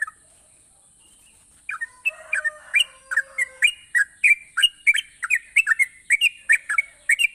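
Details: Yellow-vented bulbul singing eagerly, used to get reluctant bulbuls singing: after nearly two seconds of quiet, a soft low warble leads into a steady stream of bright whistled couplets, repeated rapidly, above a constant thin high hiss.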